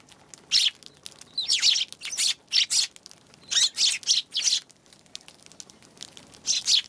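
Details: Eurasian tree sparrows on January 11 calling in separate short chirps and pairs of chirps, scratchy and bright, scattered irregularly with quiet gaps between them.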